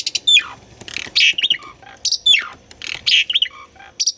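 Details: Asian pied starling in song, used to trigger silent captive birds: harsh squawking notes alternating with falling slurred whistles, the phrase repeated about every two seconds.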